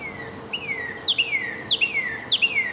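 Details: Northern cardinal song: clear downslurred whistles near the same pitch, then three phrases that each open with a steep high slur dropping into a longer falling whistle, spaced about every half second.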